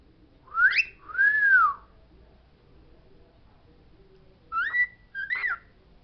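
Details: Indoor pet parrot singing the words it knows: two bright arched whistles close together, a long silence, then two brief upward-swooping whistled syllables. No other sounds.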